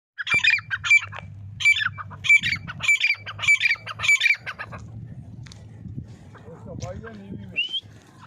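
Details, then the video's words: A grey francolin (teetar) gives loud, harsh, squawking calls in quick bursts for about four seconds, then quieter sounds and a brief voice. "grey francolin voice"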